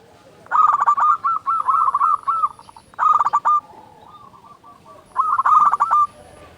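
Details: Singing local zebra dove, a lure for prompting silent or stressed doves to call: long runs of fast, rolling, stuttering coos, one run lasting over two seconds, with softer separate coo notes in the pauses.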